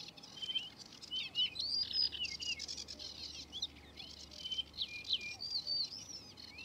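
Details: Male Yellow-breasted Bunting in song: a busy stream of ringing whistled notes and quick upslurs, with a few soft chirps mixed in, all high and clear over faint background hiss.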